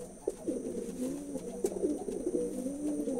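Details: Pigeon coos, low and throaty, short wavering notes running together over a persistent thin electrical whine.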